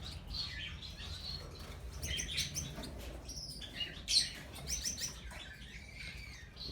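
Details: Fawn Java sparrows kept in a breeding colony, recorded in 2019, give short high chirps in loose, irregular clusters, some notes sliding slightly, with light clicks and rustles between them.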